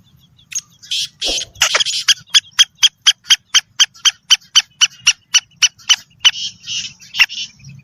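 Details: Female black francolin voice, described as arousing males: harsh scratchy opening notes give way to a long regular run of sharp clicks about four per second, ending in rougher buzzy notes.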